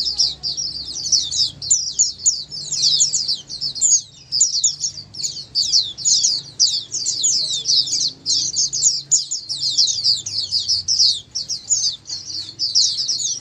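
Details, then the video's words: Oriental white-eye (pleci) in the ombyokan singing style, played to make other pleci respond and sing diligently; extended dense chatter of high, fast twitters and chirps, with a faint low hum underneath. "Dengar Suara Pleci Ombyokan ini pasti nyaut burung pleci anda"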